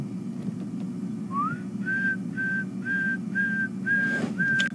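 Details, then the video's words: Several pearl-spotted owls calling mid-morning on 21 August 2015 on a safari drive, near a leopard resting in shade: one rising whistle, then a series of steady, level whistled notes about every half second, over a low engine hum. "birds calling off. You can hear some pearl-spotted owls."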